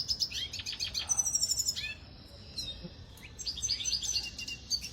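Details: A Venezuelan red siskin in song training sings a fast, high twittering song of buzzy trills and thin rising notes, with a brief quieter pause before the chatter resumes.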